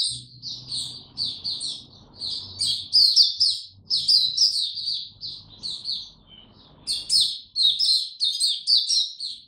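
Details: Rapid high twittering song of a white-eye in warm, very humid conditions, chirps tumbling together in bursts, broken by short gaps, over a faint low hum.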